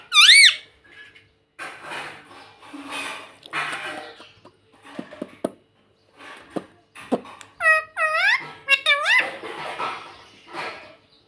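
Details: A pet rose-ringed parakeet gives a single shrill arching screech, then a mix of softer chattering, clicks and mumbled sounds, followed by a quick run of four harsh, bending squawks.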